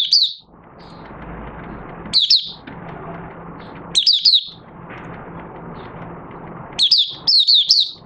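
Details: Oriental white-eye kept in a cage, singing with the cloth cover off, 25 August 2022: short clusters of thin high twittering notes every couple of seconds, separated by stretches of steady hissing background noise.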